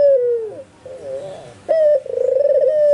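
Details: White albino Barbary dove calling, nearby spotted and zebra doves said to answer; the tail of a falling coo, a quiet wavering phrase, then a sharp short note leading into a long trembling coo.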